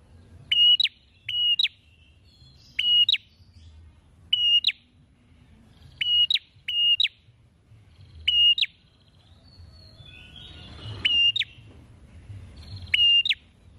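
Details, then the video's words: Energetic prinia with beak opened wide, giving sharp metallic chirps singly and in pairs at uneven intervals, with a soft low hum and brief rustling noise in the background. "PRENJAK GACOR BUKA PARUH LEBAR"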